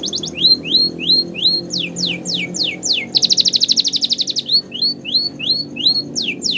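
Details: Canary song for training: rising whistles, then falling sweeps and a rapid rolling trill lasting about a second, then more upslurred whistles, with soft music beneath.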